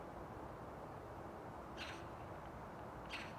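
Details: A Eurasian magpie, recorded on 7 December 2022, gives two short, harsh, rasping calls about a second apart over a steady low rumble of distant traffic or wind.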